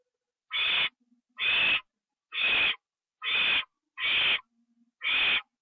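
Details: Owl with a treat eaten inside, 25 September 2011, 1:52 AM; six rasping, breathy hisses follow each other at under one-second intervals, separated by faint low ticking.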